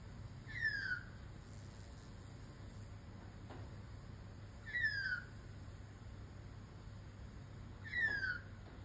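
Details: A lost young magpie calls to other birds from a distance, giving three clear, slurred calls that slide downward, spaced about three to four seconds apart, over a low steady rumble.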